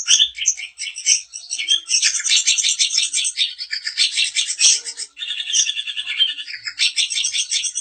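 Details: Long-tailed shrike of the daput variety in provoking song: continuous scratchy, buzzy chatter with rapid trills and interspersed sharp chirps, hardly pausing.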